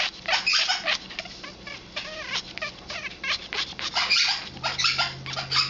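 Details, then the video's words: Eleven-year-old female Congo African grey parrot showing hormonal mating behaviour: dense bursts of harsh, raspy chattering notes, with a few brief rising-and-falling tonal squeals midway, delivered in quick irregular succession. "African Grey hormonal behavior"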